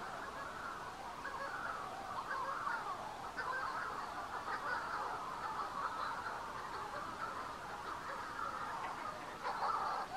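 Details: Chorus of Manx shearwaters near the Bardsey Bird and Field Observatory, Bardsey Island: many overlapping raspy calls form a steady murmur, with a slightly louder burst of calling near the end.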